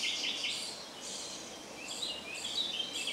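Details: Common starling at Jarun in Zagreb, Croatia, spring 2017, gives high wheezy, hissing notes mixed with short rising whistles and squeaks in a steady, unbroken flow.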